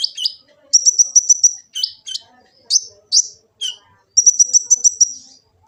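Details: Sunbird (kolibri ninja) song recorded on an Android phone in Gresik, East Java, used as master and lure for trained birds: sharp high chirps alternating with rapid trills of doubled notes, repeated in bursts, clean and quiet background.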